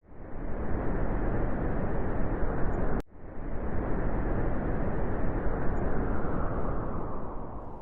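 Steady low roaring rumble, like wind or a passing vehicle, with a brief break midway; no animal sounds.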